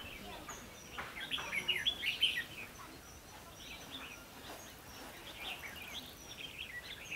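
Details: Decoy red-whiskered bulbul in a trapping session for wild birds, 22 October 2016; a burst of rapid warbling, slurred chirps early on, then softer scattered notes over steady hiss and a faint high tone.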